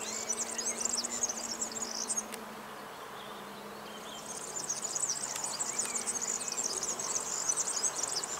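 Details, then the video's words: European serin delivering two bursts of shrill, fast, glittering twitter, separated by a pause of about two seconds, over faint background hiss. "Kulczyk śpiew"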